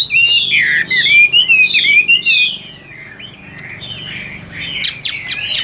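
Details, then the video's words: Chinese hwamei, a caged Tam Hoàng bird, singing fast loud slurred whistles for two seconds, then a quieter pause and a few sharp high notes at the end. "Họa Mi Tam Hoàng Miệng Mỏ Như Máy Khâu, Điện Đóm Căng Hót Hét Bài Bản"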